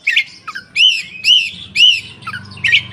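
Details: Caged koci singing with tail spread, a lure recording for reluctant birds: arched, slurred whistles repeated about every half second between scratchy chirps, with a faint low hum beneath.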